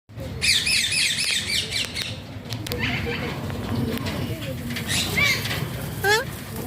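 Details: Alexandrine parakeet, locally called pahaadi tota, making talking sounds: an opening run of harsh, harmonic squawks, followed by scattered short rising chirps and whistles over a steady low rumble.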